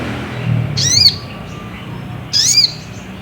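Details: Ruby-cheeked sunbird lure song meant to agitate a rival into singing: two sharp, high, downslurred notes about one and a half seconds apart, with a faint low hum behind.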